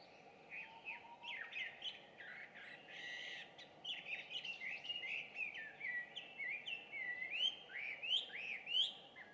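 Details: Chinese hwamei, an introduced species, singing loudly at 5:30 in the morning on 2 June 2019 near a home; a long varied run of rich whistled phrases, slurred up and down, with steady low background noise.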